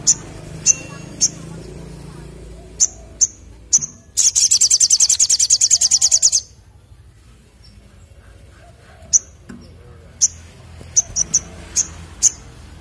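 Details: Crimson sunbird in full 'ngleper ngalas' song: scattered thin high chips lead into a loud, rapid, buzzy high trill of about two seconds, followed by silence and renewed bursts of separate chips.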